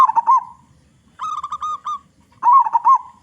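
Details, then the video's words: Lure song of a local big-voiced zebra dove for other zebra doves: a rolling coo, a row of six short clipped notes, then another bubbling warbled coo. "Perkutut Lokal Gacor Suara Besar Suara Paling di Sukai Burung Perkutut apa saja"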